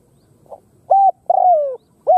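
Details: Khmer spotted dove giving one full phrase: a soft faint lead note, a clear coo, a long slurred croo falling in pitch, then a closing short rounded coo. Background is quiet.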